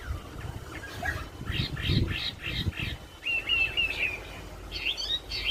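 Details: Wambi recorded on the afternoon of Friday 7 March at 15:55, singing a quick run of five bright, evenly spaced high notes, then a thin warbled trill, over a low background rumble.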